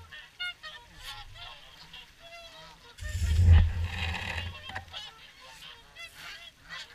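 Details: Swans gathered for the evening feed at WWT Caerlaverock give a dense mix of honks and rising trumpet notes. A loud low roar of wind or handling noise covers the middle seconds.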